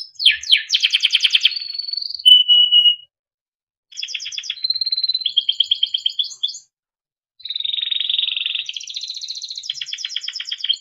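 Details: Melodic Timbrado canary training song in three bursts separated by short silences: buzzy rapid trills, rolling pulsed phrases and brief held whistled notes, all high and clean with no background noise.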